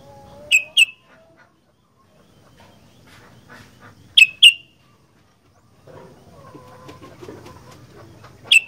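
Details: Sooty-headed bulbul in vigorous 'gacor fighter' singing: sharp, bright paired whistled notes given in three bursts, each pair quickly repeated, over quiet background chatter and faint lower sounds.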